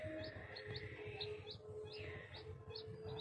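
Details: Crested fireback chick giving short, high, down-slurred peeps in an irregular series, some notes closely paired, over a steady low hum and a faint thin tone.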